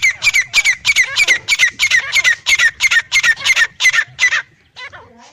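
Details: Black francolin male and female calling: a fast, steady series of about fifteen harsh, rasping notes, roughly three per second, ending abruptly with a few faint scratchy sounds.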